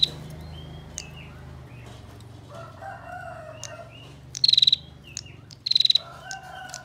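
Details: Tight ngebren chatter of a female Bar-winged prinia, kept as master song for training songbirds: two brief bursts of fast, high rattling pulses near the end, amid faint chirps, lower harmonic calls and a low background hum.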